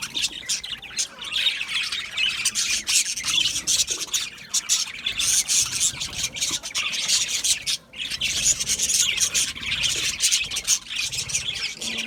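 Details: Budgerigar group chatter, scratchy squawks and chirps running on steadily, with one brief lull just before the eighth second.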